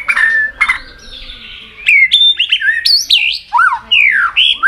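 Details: White-rumped shama singing in a contest with many forest-style voices in succession. Two rich buzzy notes open, then quick bright whistles jump up and down in short separate bursts, some sharply rising, others sliding downward.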